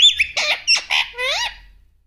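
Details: Pet parrot speaking indoors: a quick string of raspy, speech-like syllables with sliding tones, fading out after about one and a half seconds.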